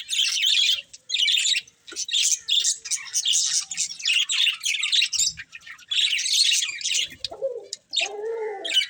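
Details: Budgies twittering in bursts of buzzy, raspy chirps with short gaps, ending with a couple of lower, nasal squawks.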